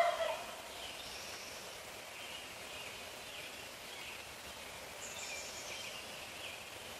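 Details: Neighborhood tom turkey at 4:45 AM, close by, gobbling roughly every half minute. A loud, rattling gobble tails off at the start, followed by faint high chirps of other dawn birds over a steady background hiss.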